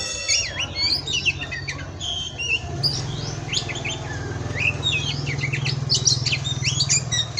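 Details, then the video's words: Oriental magpie-robin song used as a master recording: jumbled sweet whistles, slurred notes and quick chattering phrases over a constant low droning hum. "Masteran Pastol Kacer"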